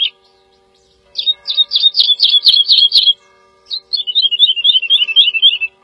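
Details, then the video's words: Lilting woodlark song: a quick series of sharp repeated notes, a short pause, then a descending run of liquid looping notes sliding gradually lower in pitch. "The song of the Woodlark -Lullula arborea -Δεντροσταρήθρα"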